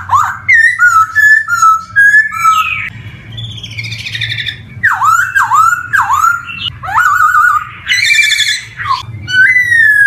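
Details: Black-throated laughingthrush (poksay hongkong) lure song for young birds just starting to sing: short whistled notes, a buzzy warbling passage, then loud down-and-up swooping whistles and chattering phrases, ending on a clear whistle.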